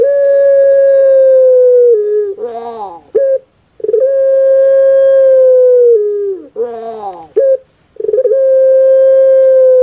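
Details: Kept puter pelung dove, a bird well known on Java, repeating its kuk gerukkk kwokkk phrase: sustained steady coo, gravelly falling roll, abrupt short kwok, about every three and a half seconds.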